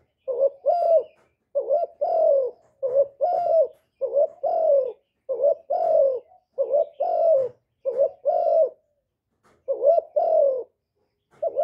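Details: Spotted dove cooing to stimulate kept birds, recorded live without background noise: deep soft paired notes, a short hoot leading into a longer falling coo, repeated about ten times in an even rhythm.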